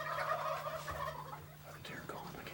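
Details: A Rio Grande wild turkey gobbles on a South Texas ranch near a flock of about 15 males and 25–30 hens: a rapid, gurgling rattle that breaks into falling notes.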